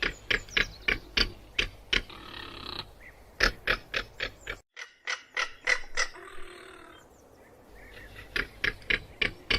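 A crested caracara gives harsh, dry rattling clicks, about three or four a second, in bursts broken by brief pauses.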